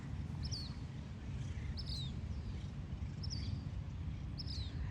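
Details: Black Phoebe singing from a headstone in Santa Barbara Cemetery by the ocean, at least two males present, possibly breeding; thin, high, sharply slurred notes about every second and a half over distant traffic rumble.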